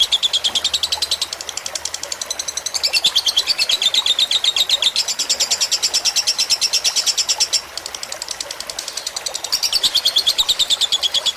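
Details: Lovebird fighter-style song used as a tutor recording for pet birds, with trickling water added. It is a loud, fast, sharp chattering trill of high chirps, about three per second, running in long unbroken bursts with brief pauses.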